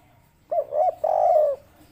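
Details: Local spotted dove with 'kuk 3' calling: two soft coos run straight into one long, rough, gently falling coo lasting about half a second, low-pitched, over a faint murmur.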